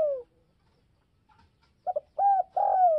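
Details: Spotted dove calling to provoke other doves: the tail of a descending coo, a pause, then two short clipped notes and a long, smooth coo sliding downward at the end.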